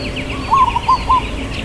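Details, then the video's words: Local zebra dove giving one phrase of its long "kuk" song, irama lelah rhythm: four quick, low, staccato coo notes, with thin bird chirps behind. "Perkutut Lokal Suara KUK Panjang IRAMA LELAH"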